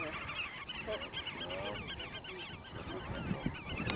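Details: Black-tailed godwits displaying and mating, Eemnes, Holland, 8 April 2012: quick, rolling, wavering calls repeated for about three seconds, then sparser, with goose-like honks and a few clicks at the end.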